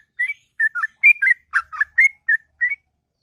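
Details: Sooty-headed bulbul singing in the morning: about ten short bubbly whistled notes, rising and falling, given in quick pairs with small pauses.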